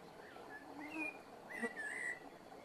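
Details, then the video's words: Eurasian blackbird singing slowly in the evening, several fluting whistled notes rising and falling in quick succession, with a brief sharp higher chirp mixed in and a constant low background hum. "Чёрный дрозд вечерняя песня!"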